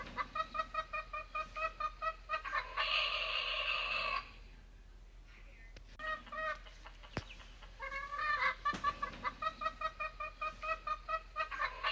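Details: Morning rooster giving rapid repeated clucks, about two and a half per second, then a long steady harsh crow lasting over a second. A quieter pause with faint notes and clicks follows before brisk clucking resumes and continues to the end.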